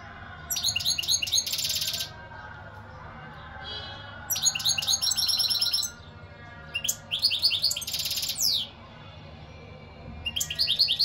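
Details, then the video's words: European goldfinch song in four bursts of fast, tinkling twitters and buzzy trills, separated by short quiet pauses. The last burst is cut short. "اقوا واجمل تغريد حسون"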